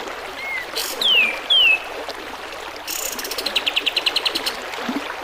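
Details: Sooty-headed bulbul song with flowing water, made for training birds: a faint low whistle, then two loud descending whistles in quick succession, followed by a steady train of rattling pulses over a trickling stream.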